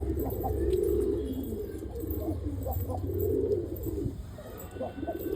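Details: A Ghafuri fancy pigeon (Columba livia) gives soft, low, rolling coos over a steady background rumble.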